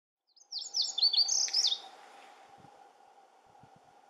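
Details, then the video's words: Lazuli bunting, one of several singing constantly at Camas Meadow, gives a quick high song of about 1.3 seconds: a run of sweet, descending slurred notes and buzzy phrases, then faint background hum and a few low thumps. "Lazuli Bunting songs"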